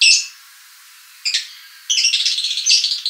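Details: Lovebird giving harsh, high squawky calls: one sharp burst, a short note after a pause, then a rapid chattering run of shrill notes. Used as a lure recording to attract lovebirds.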